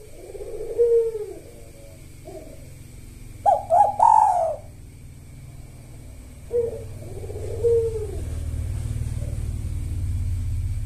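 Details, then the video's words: Spotted dove singing kuk satu style with the sahur rhythm, arched low coos and a loud three-note burst near the four-second mark, with a steady low rumble of background noise growing toward the end. "Tekukur Kuk Satu Gacor Buat Pancingan irama Sahur"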